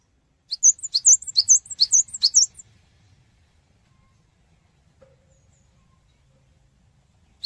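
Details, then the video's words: Cinereous tit song meant to prompt other birds to answer: a quick series of six high, piercing chirped notes over two seconds, then near silence with a faint single note at the end. "Pancingan Suara Burung Gelatik Batu Cepat Respon"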